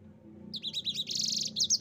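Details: Yellow-fronted canary song phrase in the long-rolling ngerol style: after a quiet start, quick high chirps run into a bright, sustained buzzy trill, ending with a couple of sharp notes.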